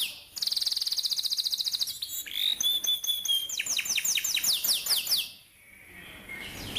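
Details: Atlantic canary singing a training song for young canaries: a dense rapid trill, a whistled phrase, then a series of loud downward-sweeping chirps before a pause.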